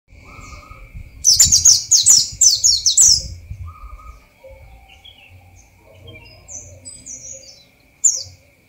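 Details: Oriental white-eye (Bali race) singing naturally in the wild in the morning, during the dew: a two-second burst of rapid, very high twittering notes, then scattered thin chirps over a faint steady hum.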